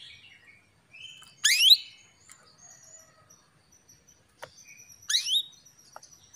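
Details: A hen canary calls a male to stir him to sing: two loud upward-swept notes with buzzy overtones, about three and a half seconds apart, with faint high chirps and a click between them.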